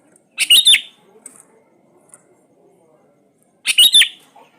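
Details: Lure recording of a lively Sooty-headed bulbul for birds that rarely sing: two harsh, scratchy chattering bursts about three seconds apart, with faint high ticks between them.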